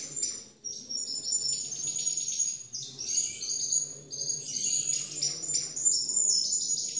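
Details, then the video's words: Timbrado canaries singing in a competition: thin, very high notes and short bursts follow one another irregularly, forming a continuous tinkling, chattering stream. "CANTO DE MIS TIMBRADOS EN CONCURSO"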